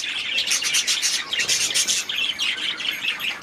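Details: A group of aviary budgerigars chirping and warbling nonstop, with quick, high, slightly grating notes tumbling over one another at a steady, lively pace.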